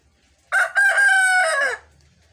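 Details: Rooster on a homestead giving an unusual, lazy-sounding crow: a single harsh drawn-out call lasting just over a second, steady and level before tailing off downward, in an otherwise quiet setting.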